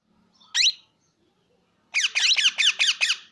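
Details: Plum-headed parakeet calling indoors: one shrill squeak, then after a pause a quick series of six harsh, downward-sweeping screeches in rapid succession; faint low hum beneath.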